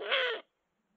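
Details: During 2022/2023 courtship, Eurasian eagle-owls give a short, harsh, hoarse call with a faint underlying tone, lasting under half a second and ending abruptly, followed by silence.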